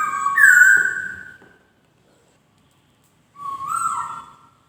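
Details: White-crested laughingthrush song: two loud, clear whistled notes about three seconds apart, the first falling slightly and the second rising, with silence between.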